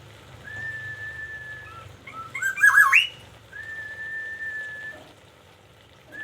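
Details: Morning song of a kept Black-naped oriole from Aceh: a long flat whistle, a loud burst of rolling fluted notes sweeping upward, then another long steady whistle, with faint low hum early on.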